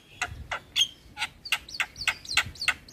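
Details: Javan myna in a tutor and prompting recording featuring various starlings: a rhythmic series of harsh, rasping notes about three per second, each with a high whistled overtone.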